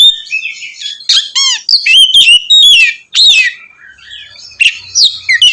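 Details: Loud ngeplong song of an Oriental magpie-robin, meant to excite other magpie-robins: ringing whistles, rapid trilled notes and scratchy chatter, with a quieter stretch before a final flurry.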